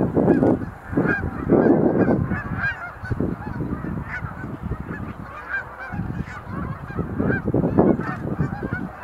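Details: Several sandhill cranes at Montezuma National Wildlife Refuge visitor center, November 2020, doing display leaps in a dance; loud overlapping rolling honks and bugling calls from many birds fill the recording, with steady crowd-like chatter beneath.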